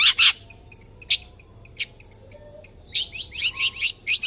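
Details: Long-tailed shrike, a tame, actively singing bird with varied borrowed phrases, used for prompting other birds: two harsh bursts, a string of thin high whistled notes, then a fast run of loud scratchy chirps.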